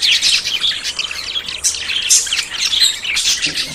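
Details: Short burst of budgerigar courtship chatter from birds about to breed: bright, rapid chirps and scratchy warbled notes from several birds at once.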